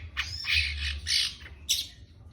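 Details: Young long-tailed shrike uttering drawn-out harsh, scratchy squawks followed by one sharp short note.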